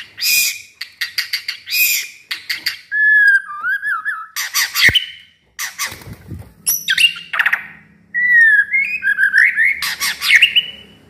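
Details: White-rumped shama, a caged house bird that has never entered a singing contest, in full loud song: harsh buzzy bursts and squawks alternating with clear whistled phrases, short pauses between, some churring underneath.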